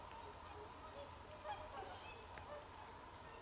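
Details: Whooper swans calling in winter on 24 December 2020; soft, nasal honks come in a loose cluster through the middle of the recording, set against a constant low rumble of background noise.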